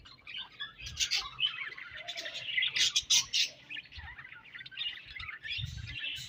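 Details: Budgerigar colony chirping in the morning: dense, overlapping high chatter and warbling, irregular bursts of many birds calling at once, with low rumbling background noise.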